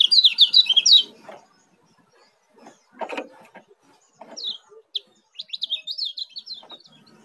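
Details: Kecial kuning, the Oriental white-eye of Lombok, opens with a rapid high twittering burst, falls silent amid a few knocks and thumps, then resumes with scattered chirps and another quick chattering phrase.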